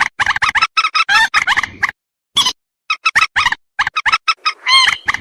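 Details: Common moorhen calls used as a hunting lure: rapid series of short, harsh, nasal notes in clustered bursts with brief gaps, some clucking and squeaky, clean with no other sounds.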